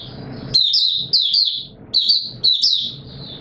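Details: White-eye song recorded 20 March 2022 in warm humid weather: short bright phrases of tumbling high twitters, three bursts with gaps between, over a low rumbling background.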